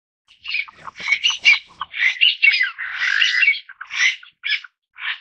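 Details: Taiwan bamboo partridge calling in loud, harsh, raspy bursts that come in quick irregular succession, each a short grating phrase, with brief gaps between them and no other clear sounds.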